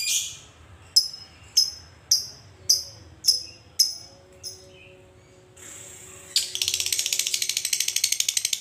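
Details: Lovebird giving a long ngekek chatter meant to provoke other lovebirds into calling: sharp high clicks spaced about a second apart, then an extended rapid, buzzy, high-pitched rattling trill.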